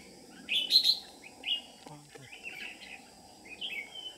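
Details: Red-whiskered bulbul lure bird singing competitively in Ché style during trapping: short, bright, warbled phrases repeated at intervals, the first loudest, with a brief low human voice between phrases and faint background noise.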